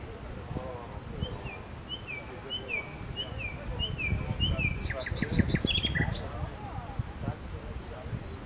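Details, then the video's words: In Makui park a nightingale repeats a bouncing two-note phrase, high then lower, about every half second, before a buzzy high rattle and a downslurred note, with steady low background rumble. "صدای بلبل خفن در پارک ماکوئی"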